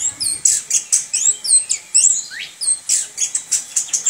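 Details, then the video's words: Kept orange-headed thrush singing loud high chirps and swooping whistles in rapid bursts about three times a second, with varied slurred notes between. "ANIS KEMBANG NGEROL"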